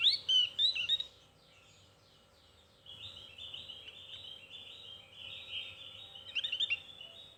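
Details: Javan white-eye in thin chirping song: a few loud sharp whistled notes open, then a long, softer, steady stream of fast high chirps with a brief louder flurry near the end.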